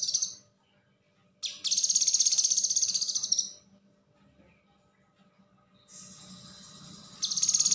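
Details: Common Iora (cucak kinoi) singing in the konslet style, recorded as a tutor for other songbirds: bursts of very high, rapid buzzy trills that pulse quickly, a long burst in the middle and shorter ones at start and end, with quiet gaps between.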